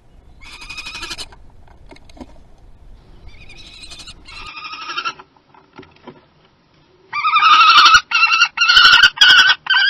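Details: Common kestrels mating at Théding on 30 April 2020. Bursts of shrill, harsh repeated notes come in separate runs, then a loud, intense trilling series near the end, with quiet gaps between runs.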